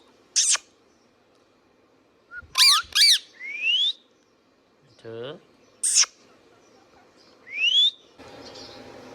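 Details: Indian ringneck parakeet kept as a pet: harsh, piercing squawks in quick pairs, two smooth upward-sliding whistles, and a brief low harmonic voice-like sound midway, with a hissy rustle at the end.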